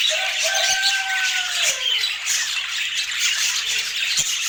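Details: Budgerigars chirping during their healthy food routine, filmed in natural Scandinavian light. A clear, gliding tone sinks over the first two seconds above thick, high, squawky chatter that continues to the end. No music or voices.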